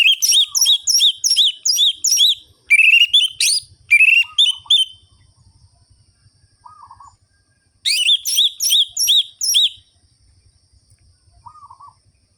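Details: Orange-headed thrush in energetic ngerol-ngeplong song, used as a lure to stir lethargic birds of its kind: runs of nearly identical sharp, ringing notes, about three a second, broken by pauses, over faint low notes and a soft rumble.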